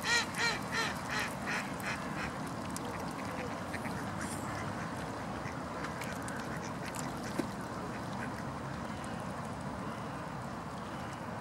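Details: Mute swan at Lake Bundek, Zagreb, Croatia, on 5 November 2014 gives hoarse, nasal, snorting calls, a quick burst of about four, then fainter ones roughly every half second over a steady low hum.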